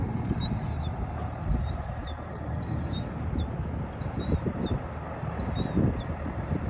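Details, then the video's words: Young European herring gull squeaking: high, thin, slightly wavering squeals at roughly one-second intervals, set against loud continuous low-frequency rumble. "High pitch squeaking sounds of juvenile herring gull"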